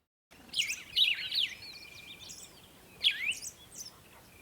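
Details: Morning birds at sunrise chirping: a cluster of quick high twittering notes and a thin drawn-out whistle, then a second burst of chirps about two seconds later over soft steady background hiss.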